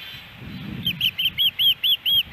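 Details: Osprey in Hellgate Canyon, Missoula, Montana, July 13, 2018, during fish deliveries at the nest: after a brief low rustle, a series of loud, high, arched whistled notes repeated about three times per second.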